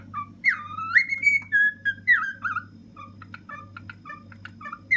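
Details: On top of a fridge, a ten-year-old male pet cockatiel whistles a swooping phrase, then a run of short staccato chirps. A low mechanical hum continues in the background.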